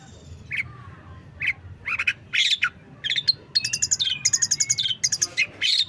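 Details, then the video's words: Long-tailed shrike singing a rich repertoire, starting with spaced rising whistles, then building into fast ringing trills, buzzy rattles and high sliding notes. "pentet full materi mewah"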